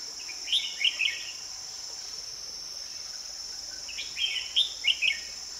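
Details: Red-whiskered bulbul heard while wild birds are being trapped with a decoy on 2 May 2020. Quick chirpy warbled phrases come in two groups, early and late, against a constant shrill insect hum.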